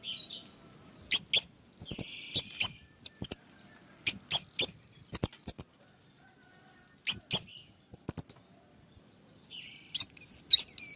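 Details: Orange-headed thrush in full song, played as a master recording to teach and provoke other birds. High, thin whistled phrases with clicking edges are repeated in groups, broken by short silences.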